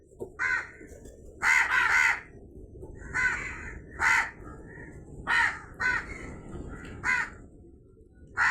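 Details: Crow calling in a busy series of about ten raspy caws, some paired or run together in quick doublets, over low background noise.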